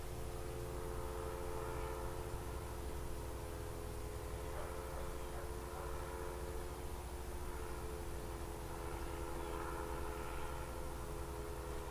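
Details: A steady low engine drone, like a passing vehicle or aircraft, fills the recording with no animal calls.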